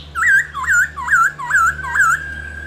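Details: Caged black-throated laughingthrush song used to stimulate other laughingthrushes; five loud looping whistled notes in steady rhythm, about two per second, over a low hum.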